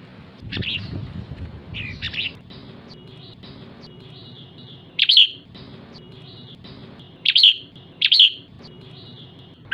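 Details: Female red-whiskered bulbul's 'ché' calling, meant to rouse males: a few sparse, sharp downslurred chirps spaced seconds apart, with a couple of quick doubled notes and a faint steady background hum.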